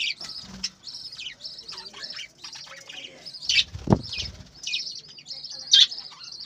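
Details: Budgerigars on a breeding farm chattering in high twittering phrases while wings flap noisily, with several thumping flutters mixed into the continuous chirps.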